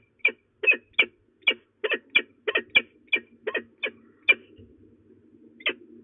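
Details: Female peregrine falcon threatening at De Mortel, Netherlands, 27 February 2024 around noon: a rapid series of harsh, strident kek notes, about a dozen in four seconds, then a pause and one final note over a faint low hum.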